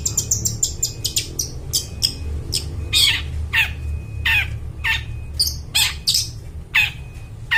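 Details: Long-tailed shrike singing energetically in a clear ringing tone to lure forest birds: a fast run of ticking chips, then harsh descending rasping notes repeated about every half second, over a low hum.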